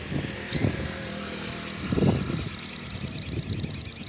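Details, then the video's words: In the afternoon a sogon, the crimson sunbird, gives a song to motivate off-form captive birds: one swooping note, then a long, steady rattle of fast, high chirps running to the end. "suara sogon syahdu sore hari !!!! cocok untuk semua sogon ngedrop.."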